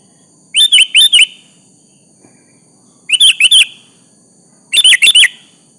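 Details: Sooty-headed bulbul song meant to draw an answer from a rival: three bursts of four quick, liquid whistled notes separated by short pauses, over a faint continuous high hum.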